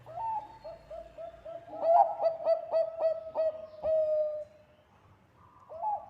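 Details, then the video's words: Bangkok-type zebra dove in full song, used to lure other birds: gentle coos lead into a rapid run of short, punchy notes, ending in a long drawn-out coo, followed by a quiet pause and a fresh coo. "Perkutut bangkok gacor suara ampuh untuk pancingan...!!!"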